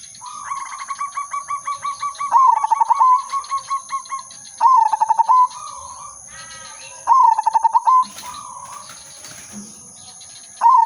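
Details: Silver udanmas zebra dove used as a lure bird, singing a long series of bubbling staccato notes, then several shorter rolling phrases ending in level trilled coos; a constant high-pitched electronic whine runs throughout.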